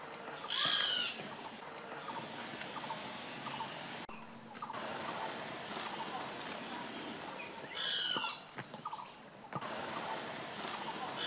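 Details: Great barbet (Psilopogon virens) giving two loud, wailing, mewing calls about seven seconds apart, with faint forest birds and insects behind; recorded 6 April 2014 at Phanoen Thung camp, Kaeng Krachan National Park, Phetchaburi, Thailand.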